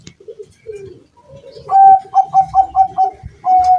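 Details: Zebra dove (perkutut bangkok) living at a house, calling in strong wind: a few soft low notes, then a rapid stuttering series of about six short cooing notes followed by one longer, steady coo.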